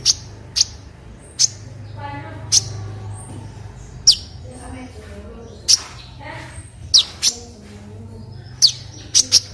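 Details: Olive-backed sunbird (kolibri ninja) song, used as a tutor recording for other birds: sharp, very high, clicking notes spaced irregularly about one to two seconds apart, over a low steady hum.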